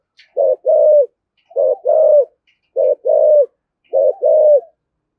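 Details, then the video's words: Four steady phrases from a spotted dove in 'thổ' voice doing the 'thúc gù' urging coo to provoke wild doves: a short stuttered double coo followed by a longer, slightly falling hoot, evenly spaced. "cu gáy giọng thổ thúc gù dùng kích bổi, bổi nghe rất nhại gáy"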